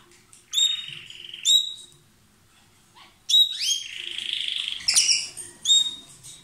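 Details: A pair of lovebirds kept as pets, kissing and exchanging food: loud shrill chirps, a sustained buzzy note near the middle, then sharp rising squeaks against a quiet room.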